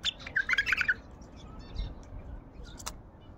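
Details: Wild Baghdadi bulbul delivering a loud, fast, bubbling phrase of about eight rapid liquid notes in the first second, followed by quieter background with a single sharp click later.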